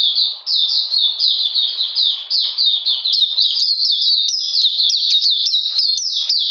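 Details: Oriental magpie-robin, caged, singing on 13 June 2020 amid cold, rainy weather: a long, steady sequence of high, downslurred notes and trills that grows more varied and quicker toward the end.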